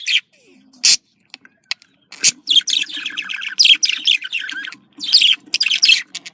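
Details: Budgerigar contact calling, described as happy: after a quiet start with a few sharp clicks, a busy run of scratchy, chattering warbles and quick chirps begins past two seconds, broken by harsh broadband bursts.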